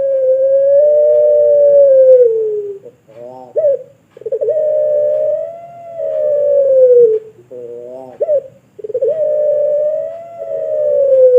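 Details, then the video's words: Barbary dove of the pelung type, kept at a bird farm in Sragen, Indonesia, as a song tutor: long, steady, low hollow coos of about two to three seconds, each separated by brief pulsed, trembling notes. "Puter Pelung Suara Panjang Pass Banget Buat Masteran"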